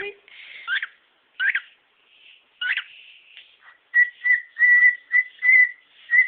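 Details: A pet male cockatiel shows off his repertoire with three raspy, clicking, beatbox-like bursts, then a run of six short, clear, mid-pitched whistles about every half second.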